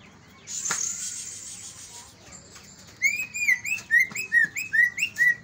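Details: Greater green leafbird song used to stimulate other birds to sing: a buzzy high burst, then a run of loud, clear, down-slurred whistled notes repeated about twice a second.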